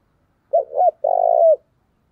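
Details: Spotted dove decoy giving an energetic call to provoke fighting. Two brief, arched coos lead into a drawn-out, grainy coo that droops at the close. Nothing else is audible around it.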